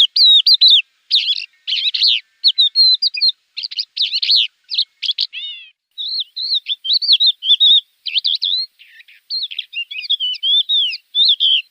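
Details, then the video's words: Javan bush lark (branjangan) song used as tutor recording for untrained cage birds: rapid, varied high chirps and warbled trills in short bursts, dense phrases separated by brief gaps, clean with no other sounds. "Masteran Branjangan!!"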